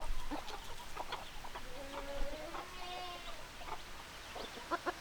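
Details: Hens clucking in a flock, with soft, short, low clucks overlapping steadily and a drawn-out, level tone near the middle against a hushed background.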